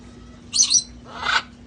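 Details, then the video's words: Parrots of a rescue flock outside having fun before cold weather: a bright, high screechy call, then a lower, broad rasping squawk half a second later. "sounds of parrots having fun outside enjoying life"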